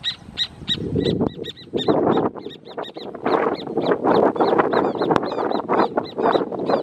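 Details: A hornero pair calls to mark territory in the Amarras del Gualeguaychú protected natural area. Two voices overlap in a dense, excited run of sharp repeated notes that speed up and tangle together, with low background rumble.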